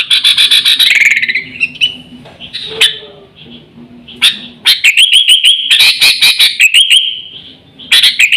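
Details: Sooty-headed bulbul lure call used to attract birds and coach pet birds: bursts of fast bubbly whistling and clicking, separated by a quieter gap with scattered faint notes, then resuming strongly.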